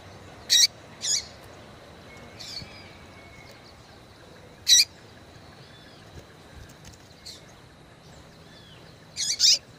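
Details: Female Double-collared seedeater calling to excite and stimulate males: sparse, sharp high chips, some with short descending tails, spaced irregularly a few seconds apart over a steady faint high hum.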